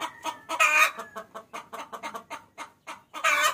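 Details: Female chicken calling the male, a lure call: a loud raspy squawk opens a fast series of sharp clucks, ending in another strong harsh burst.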